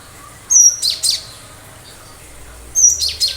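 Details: Cinereous tit singing sharp, provoking phrases: a thin high whistle leading into two or three quick chirps, the phrase repeated after about two seconds.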